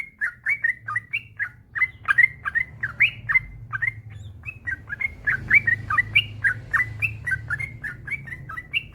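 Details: Male yellow-vented bulbul in an extended singing bout for training other bulbuls to sing: loud, fast series of clipped bubbly chirps, some upswept, packed closely together, faint low noise beneath.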